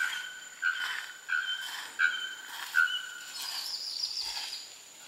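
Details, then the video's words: A young male Bare-throated Bellbird sings four ringing, metallic notes, one every two-thirds of a second, with a thinner high call from another bird behind; Porto Seguro, Bahia, north-east Brazil, November 2012. "Bare-throated Bellbird - Araponga"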